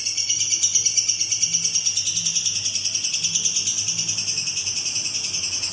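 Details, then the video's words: Lovebird giving its long-duration ngekek song: a continuous, shrill, rapidly pulsed chatter held at a steady high pitch throughout, with a faint low hum underneath. "Love bird durasi panjang"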